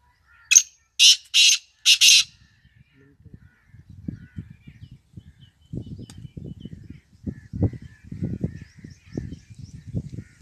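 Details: A black francolin's quick run of four harsh, rasping notes opens the recording, followed by several seconds of low rumbling and knocking noise with faint distant chirps.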